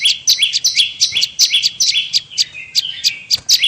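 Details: Bar-winged prinia lure sound for calling prinias in: hurried high double chirps dropping in pitch, then a softer stretch of lower notes before the sharp ticking chirps resume.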